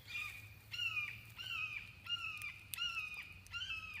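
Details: Red-shouldered hawk (Buteo lineatus), one of many locally, flying over a summer garden, gives a steady series of loud, high, slurred 'kee-ah' screams, one every second or so, over a faint low hum.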